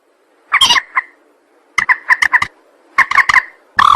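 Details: Lure recording of a rail used by trappers and hunters: three short bursts of harsh, clipped honking notes separated by pauses of about a second, with a faint background hum.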